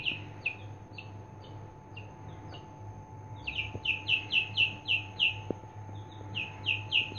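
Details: Three-day-old Aseel chicks giving high, downward-sliding peeps, loose at first, then in quick runs of about four a second; steady low electrical hum beneath.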